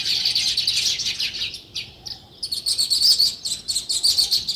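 Sparrows chirp in a busy, overlapping chatter of short high notes, several per second, with a brief lull partway through.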